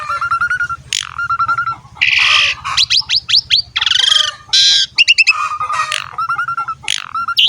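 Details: Asian pied starling song meant to prompt young or lazy birds to start singing: harsh, noisy bursts alternate with clear whistled notes and rattling series, full and varied, with a low steady hum beneath.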